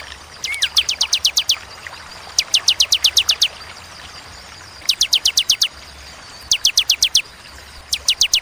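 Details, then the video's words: Bar-winged prinia (ciblek) delivering the 'tembakan' style with gaps: short quick volleys of about six to nine sharp, high notes, one low slurred note at the start, faint background hiss. "Tembakan ciblek ciwah cigun sadis pedas jernih berjeda"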